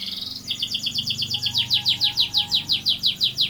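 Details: Canary in a long rolling song: a brief buzzy trill, then evenly spaced downward-sweeping whistled notes repeated about four times a second.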